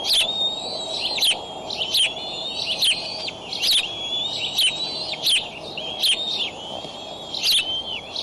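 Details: Eaglets and adult at a Decorah nest, 6:50 am CDT, 25 May 2012, with a delivered raccoon on the nest. Steady high whistled notes, some wavering or slurred, repeatedly punctuated by sharp chipping bursts.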